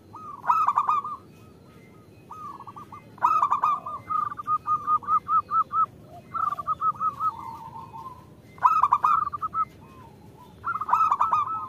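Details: Zebra dove female calling to the male, used to lure males into song: loud rough stutters open each phrase, followed by runs of quick even coos and a few lower curved notes, with silent gaps between.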